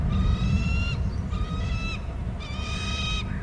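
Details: Eagle screeching at a nest on Hornby Island as one parent arrives and the other leaves so the mate can take over the eggs: three drawn-out, steady, harmonic-rich screams about a second each, over constant low wind rumble.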